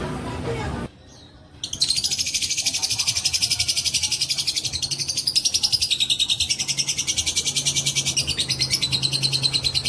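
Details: Fighter lovebird's long ngekek bait song: after a short burst of other noise and a brief near-silence, a dense, high, rapidly pulsed rattle starts and keeps going evenly for about eight seconds.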